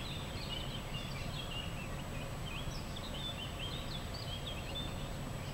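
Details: Six Common pheasant chicks playing in the rain in a garden in southern Sweden on 18 August 2014 give thin, high peeps, short and scattered, several overlapping, over a steady rumble of rain.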